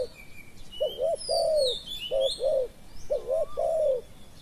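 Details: Spotted dove in a decoy session, calling three times: each phrase a brief doubled coo then a smooth, longer descending coo, low and mellow, with sharp high bird whistles and chirps above.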